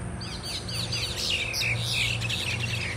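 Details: Several mynas squabbling and fighting as a group in Thailand: a dense overlapping chatter of harsh, squeaky and whistled notes, rising and falling quickly, with a steady low hum underneath.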